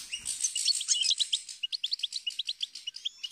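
Goldfinch song: a rapid, bright twitter of high tinkling notes, first a dense jumble, then quick separate chips several per second. No other sounds.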